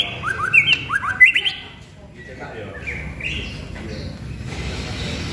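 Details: A White-rumped shama of the pastol type, a prospective contest champion, opens with a fast cluster of whistled upslurs, then gives softer scattered whistles over steady background hiss.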